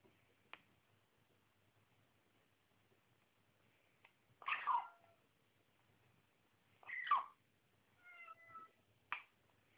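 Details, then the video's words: Baby female African grey parrot kept as a pet, squeaking all the time during play and feeding: a few brief, scratchy squeaks and thin whistled notes separated by quiet gaps and soft clicks. "baby grey making noise"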